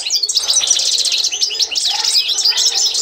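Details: Constantine-type European goldfinch singing its authentic song as a training model: fast tinkling twitter of high chirps and quick buzzy trills, a brief lower note near the middle, steady and unbroken.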